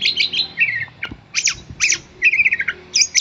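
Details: Oriental magpie-robin of a fighter type, agitated at being called by name: short bursts of harsh, scratchy chirps and squawky notes alternating with brief whistled phrases, separated by short pauses, indoors.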